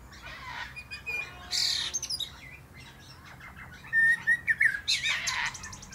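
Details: A male common blackbird sings from atop a plum tree: short mellow whistled phrases ending in squeaky, high twittering flourishes, with brief pauses between bursts and faint background hiss.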